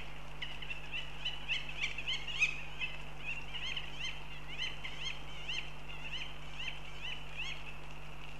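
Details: Goshawk at Riga, Latvia, uttering a run of sharp, slightly squealing notes in an uneven series, a little louder near the middle, with constant low electrical hum underneath.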